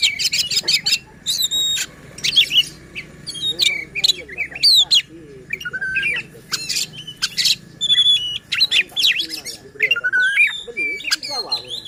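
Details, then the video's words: White-rumped shama song used to goad other shamas into singing: long varied sequence of harsh squawks, whistled notes, rapid chips and chatter, with short pauses between phrases. "Suara KACER Buat EMOSI dan NGOTOT Kacer Lain | Pancingan Kacer Malas Bunyi."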